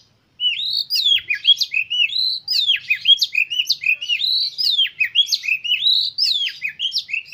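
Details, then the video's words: Continuous oriental magpie-robin song used as a lure to make kept birds eager to sing and open their tails. Fast, energetic series of loud, rising and falling whistles mixed with sharp chips, repeated without pause. "100% KACER KALIAN MAKIN NAPSU UNTUK BERKICAU DAN CEPAT GACOR BUKA EKOR"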